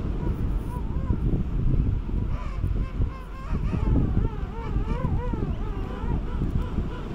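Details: King penguins courting and mating on South Georgia, January 2019; several overlapping wavering, harmonic trumpeting calls from the colony, partly masked by heavy gusty wind noise.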